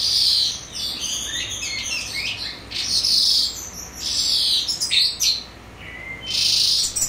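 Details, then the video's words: Calandra lark song used to make other larks respond: a continuous, high jumble of chirps, trills and buzzy twittering phrases with short dips between bursts, against steady low background noise. "calandra lark, sangat cocok untuk pancingan pakling maupun lark agar respon bunyi"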